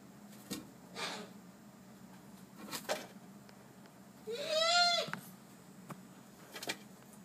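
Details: A captive laughing kookaburra, just after bathing, gives one short, nasal, slightly rising note, with brief rustling or splashing bursts before and after it.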